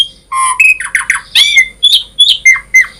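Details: Energetic full-variation song of an Asian pied starling, used to prompt other starlings to sing: a low whistle, then a quick string of squeaky chirps, a bright upslurred whistle and several short rising notes.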